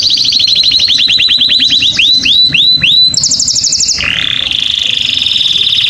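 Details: Canary (Serinus canaria) song used to stimulate females and males: rapid rolling trills of bright, upward-sweeping notes, shifting into a higher buzzy trill and then a steady, sustained warble.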